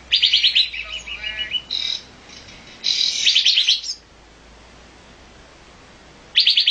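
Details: Olive-winged bulbul chattering: two loud bursts of high, rapid, buzzy chirps, a long pause, then another burst at the end.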